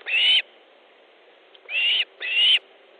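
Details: Osprey calling at its nest in Estonia during fish delivery, 3 August 2014: one sharp rising whistle, a gap, then two more piercing upslurred notes close together.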